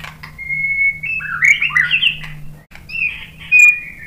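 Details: White-rumped shama song used to provoke a reply from another bird: a long pure whistle, then warbled, wavering phrases, a short gap and more whistling, over a low steady hum.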